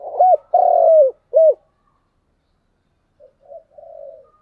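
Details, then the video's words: Morning lure call of a spotted dove meant to draw wild doves close: short coo, long sustained coo and clipped final coo in quick sequence, then softer trailing coos after a pause. "Cu gáy mồi gáy gọi buổi sáng"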